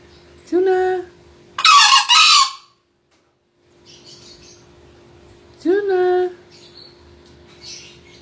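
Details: Green junglefowl crowing, entered in a 2020 crowing contest: two short tonal calls that rise slightly and carry rich harmonics, about five seconds apart, with a loud harsh noisy burst between them and a steady low hum throughout.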